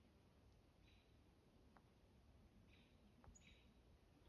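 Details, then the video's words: Young barred owls in southern Oregon, calling back and forth to each other, give three faint, breathy rasping hisses, each about a quarter-second long, over steady low rumbling background noise. "Juvenile Barred Owl Call"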